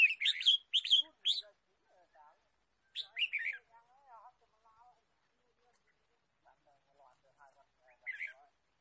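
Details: Red-whiskered bulbul chirping in the wild forest during bird trapping, 23 March 2017. Loud, sharp chirp bursts open the recording and return twice, separated by stretches of soft human voices.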